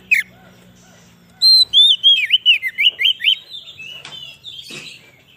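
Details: Oriental magpie-robin song for luring wild birds and rousing caged ones: a sharp note, then a fast, varied sequence of loud, looping whistled notes that fade into softer chatter and a rasp.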